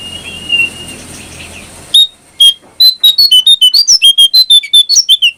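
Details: Brown prinia song used as a training recording for caged birds, chirping and fluting style: after two seconds of faint background hiss, a fast series of sharp, high, whistled chip notes comes about two per second, slightly uneven in pitch.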